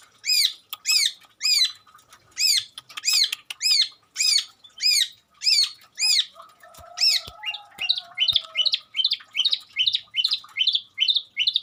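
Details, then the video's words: Long-tailed shrike in lively song with imitations of garden birds: a long series of harsh arched notes, briefly overlaid by low whistles, then speeding into quicker, thinner chirps. "Burung cendet gacor isian burung sekebun"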